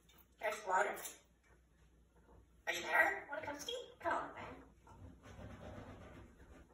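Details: A 21-year-old male African grey parrot (Psittacus erithacus) at night, indoors, speaks in clear human-like words, three short bursts over several seconds, telling an owner to be quiet and go to bed.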